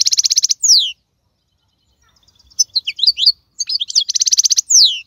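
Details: European goldfinch, a wild bird (maqnin) from the 2022 season. Its song alternates quick buzzy rattles with long descending whistled slurs, broken by a short pause and then scattered bright chirps.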